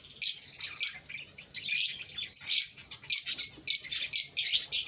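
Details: Cockatiel chicks calling: harsh, raspy high chirps and squawks in irregular bursts of about half a second, separated by brief quieter gaps.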